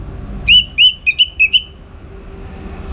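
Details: Orange-headed thrush tutor song for contest training: six clear whistled notes in quick succession, the last ones shorter and level, followed by quiet low hum.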